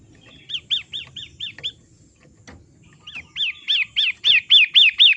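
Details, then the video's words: Long-tailed shrike of the 'matahari' kind, from a recording used to train caged birds: five high arched notes, a brief gap, then a louder series of eight similar notes growing stronger. "Master Terapi PENTET matahari bikin bunyi"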